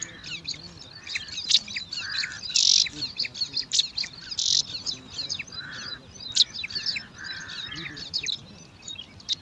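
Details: At a nest in alang-alang grass, five young bar-winged prinias scramble for food, giving a busy chorus of shrill, overlapping chirps with a few louder accented squeaks and brief mellow lower notes.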